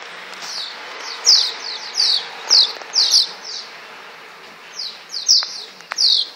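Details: Swallows in flight above the Tudor district, Csíkszereda, giving a busy run of sharp, high downslurred chirps in loose clusters, a few overlapping, over faint background hum.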